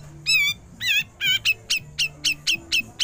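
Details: Grey-cheeked bulbul besetan continuing into ngepik, a recording for training songbirds. Three long, buzzy, wavering notes, then about eight short, sharp, chipping notes roughly every quarter second, over a low hum.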